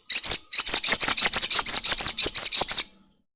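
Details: A crested jay's long rattling chatter, a lure to trigger singing in other birds: an unbroken series of roughly fifteen piercing, buzzy clicks in quick, steady succession for about three seconds.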